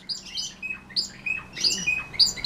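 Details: Belgian canary, a song-contest bird in early training during hot weather, sings slowly in short high metallic notes and brief trills, pausing between phrases; faint low hum underneath.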